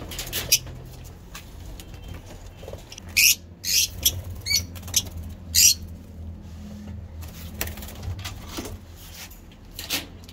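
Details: Lovebirds kept as breeding birds, among them a green Fischer's mutation, give short, harsh, noisy chirps. A loud cluster of about six comes between three and six seconds, with scattered fainter chips elsewhere over a low, steady hum.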